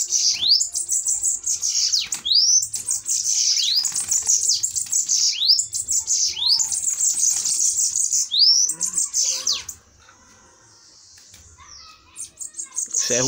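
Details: Bananaquits dueling in a fight, rapid high-pitched buzzy trills with swooping down-up slurs, several bursts back to back, then near silence and a brief rustle near the end.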